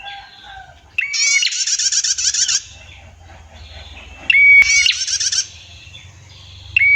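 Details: Female prinia with a long clear 'tir' trill. Two loud buzzy pulsed trills about three seconds apart, each starting with a short flat whistle, over a low steady hum.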